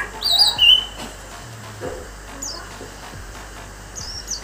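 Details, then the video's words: A captive orange-headed thrush named Broto from Banjarnegara opens with a burst of loud, high, rapid warbled phrases, then gives only a few thin, very high notes over a low steady hum. "Anis merah"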